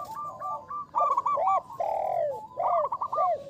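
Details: Local zebra dove singing with a big voice, used as a lure: loud mellow rolling coos, a series of short bouncing notes followed by a long drawn falling coo, then more quick stuttered coos.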